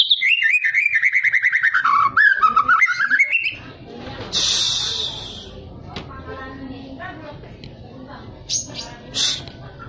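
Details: A two-year-old white-rumped shama opens with a loud, rapid trill of rattling notes that dips in pitch and climbs again, followed by faint household sounds and murmured voices.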